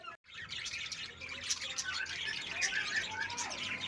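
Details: Rosy-faced lovebirds chattering continuously: a dense, scratchy mass of overlapping high chirps and squeaks with no clear breaks, over a low background rumble.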